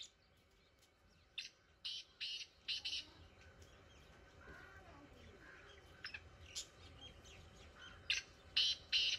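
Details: Distant black francolin calling in village fields: a series of short scratchy notes, about two per second, over steady low rural background noise, with a later burst of similar notes.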